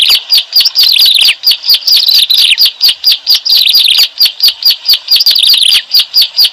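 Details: Bar-winged prinia, called ciblek alang-alang, used to lure birds for trapping; bright, high chirps in quick succession form a busy, continuous twitter with regular short dips.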